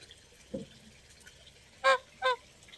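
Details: Goose giving two short, harsh honks close together near the end, each a clipped nasal blast, after a faint low sound; honking can signal alarm or keep the group in contact.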